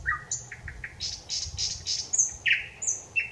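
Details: Thrush nightingale singing on 25 May 2021: a loud, varied phrase of low whistled notes, dry rattling clicks, then piercing high whistles and slurred descending notes over faint low rumble; Thrush nightingale.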